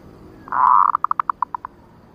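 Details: Female zebra dove call used as a trapping lure, in the 'nutut ngerot' style: one sustained mellow cooing note followed by about eight short, quick, evenly spaced coos that trail off.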